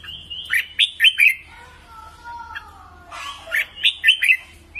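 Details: Training song of a red-whiskered bulbul: two bursts of rapid, bouncy chirped notes framing a soft, low, drawn-out descending tone in between.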